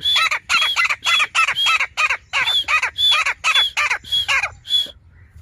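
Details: Grey francolin (desi teetar), part of a family calling in a city, gives about ten loud harsh repeated notes, each topped by a thin high whistle, in quick rhythm before stopping abruptly.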